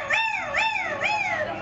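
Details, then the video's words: Taylor, a former pet Yellow-naped amazon and skilled mimic, performing on stage at the San Diego Zoo, gives three quick swooping, nasal yelps, each rising then falling, about two per second, like an imitated whine. "the Talking Parrot"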